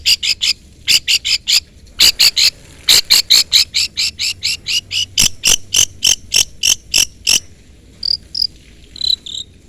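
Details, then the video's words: Long-tailed shrike lure calls meant to summon a rival. Steady series of short harsh, scratchy notes, roughly one per beat and sometimes doubled, ending with a few thin high whistles. "pancingan cendet gacor full isian CUITAN MEMANGGIL LAWAN Ini ahlinya bikin burung cendet Nyaut"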